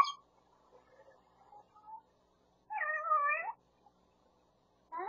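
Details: Captive grey parrot kept near Los Angeles imitating household sounds, including a cat and its owner's voice: quiet murmured syllables, then one loud wavering meow-like cry lasting almost a second, and another call starting at the end.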